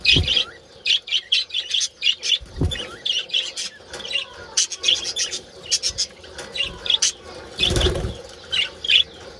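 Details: Budgerigars in a colony giving mating calls: dense, overlapping chirps and squawky warbles repeated in quick bursts, with occasional low thumps and wing flutters among the constant chatter.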